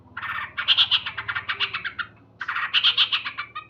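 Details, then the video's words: Male yellow-vented bulbul calling loudly at dawn, two rapid bursts of bright, bubbling chatter separated by a brief pause, over a low background hum. "Terapi Burung Trucuk Gacor"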